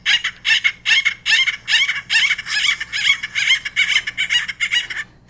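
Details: Acorn woodpecker (Melanerpes formicivorus), a captive ambassador bird, giving its greeting call: a raucous, nasal "wakka wakka" of about a dozen harsh notes at an even two or three per second.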